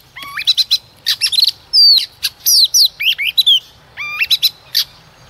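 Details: A female white-rumped shama used as a decoy to stimulate other shamas sings rich, varied phrases of clear whistles, rising slurs and rapid chattering notes in quick bursts with brief pauses.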